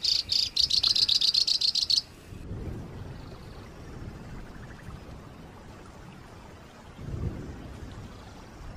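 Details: A songbird on a rough, rapid-fire tutor recording made for pet and contest birds gives about a dozen harsh, rapid rattling bursts in two seconds, high and scratchy, then falls silent over a low background rumble.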